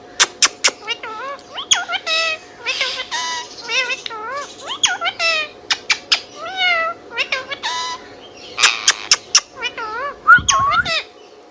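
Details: Long stretch of Indian ringneck parrot whistling and chirping: dense, rapid sequence of swooping harmonic notes, sharp clicks and rising whistles, a lively, almost continuous chatter.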